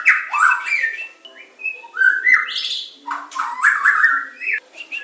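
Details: Medan white-rumped shama singing full, fairly low slurred whistles in looping phrases, with rising sweeps and brief gaps between the rich, mellow passages.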